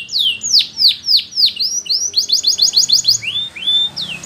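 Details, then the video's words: Spanish Timbrado canary singing for training canaries: a run of loud downward-sweeping whistled notes about three per second, then a rapid series of short falling notes, ending in rising slurred whistles; faint low hum beneath. "Training Canaries To Sing Diligently"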